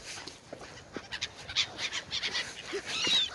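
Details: On the Oder river at Frankfurt (Oder), Germany, gulls squabble over bread, producing dense, overlapping shrill mewing and squealing calls, several birds at once, little low-pitched noise.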